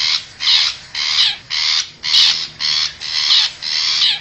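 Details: Long-tailed shrike, wild and from forest, recorded as a lure call to pull wild shrikes closer: eight loud, coarse screeches, each about a third of a second, delivered at a steady quick pace.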